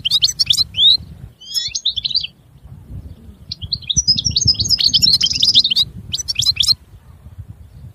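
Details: Goldfinch song in scattered bursts of high twitters and chirps, including a short buzzy nasal note, over steady low rumbling background noise.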